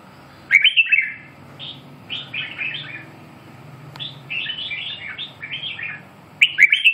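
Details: Red-whiskered bulbul song of lively, chattering warbled notes: a loud opening burst, then several softer rolling phrases, ending in another loud bright burst; steady low hum in the background.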